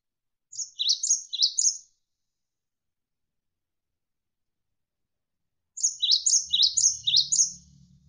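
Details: Bursts of high, sharply descending chirps from a Javan sparrow, three notes then after a long pause five more in quick rhythm, ending over a low hum of flowing water; tutor recording for trained birds.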